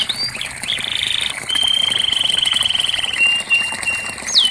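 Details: Canary singing to coax a silent canary: a few upslurred notes, then a long steady rolling trill that drops slightly in pitch, ending with a short flat trill and a rising note.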